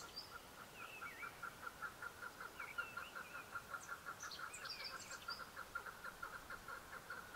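A Chukar gives a steady run of low, clucking chuk notes, several per second, while small birds add high chirps and twitters.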